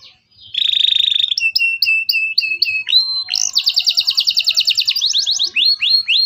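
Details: Local canary song used as a lure to teach young canaries to sing: a steady buzzy note, then a run of clear upward-flicked whistles, then a fast rattling trill and sharp rising chirps.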